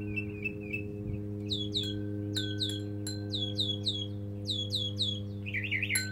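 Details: A male mockingbird singing in a back yard, apparently seeking a mate: varied phrases of sharp, high downslurred chirps, each repeated several times in quick runs, with bell-like tones ringing throughout and a steady low hum underneath.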